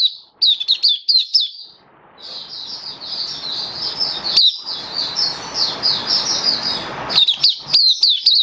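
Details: Captive Oriental white-eye in song display on 27 October 2022, singing rapid, high twittering phrases of thin chirps, with a long run of fast, jumbled notes in the middle.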